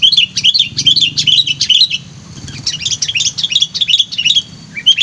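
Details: Sooty-headed bulbul used as a lure bird, noted as lively and highly vocal; rapid runs of bright chirping phrases, repeated more than twice a second, a brief pause midway, then another busy chattering run, over faint low hum.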